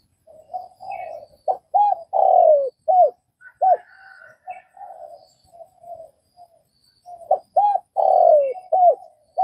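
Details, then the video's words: Spotted dove from Vietnam cooing: soft low murmured notes leading into loud, clipped, hollow coos in quick groups, with a few faint higher chirps of other birds in the background. "Tiếng cu gáy Việt"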